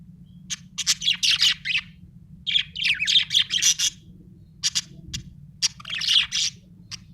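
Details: Budgerigar chirping: bright, high, rapid chirps and twittering notes in three dense bursts separated by short pauses, with a few isolated sharp chirps between them, over a faint steady low hum.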